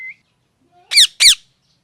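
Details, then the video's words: Loud parrot calling: a brief faint tone, then two harsh, raspy squawks about a quarter second apart, each sweeping downward, in a quiet indoor setting. "Loud parrot sound"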